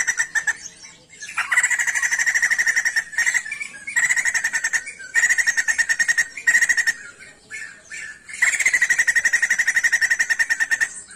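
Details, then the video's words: A crested songbird sings vigorously in bursts of rapid buzzy, pulsed trills, each lasting one to three seconds, separated by short pauses. "SIJAMBUL GACOR"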